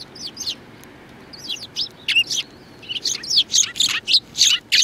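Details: Group of sparrows on 2 January 2019 calling with quick, piercing chirps that start sparse and build into a rapid run of loud, evenly spaced notes, about three per second.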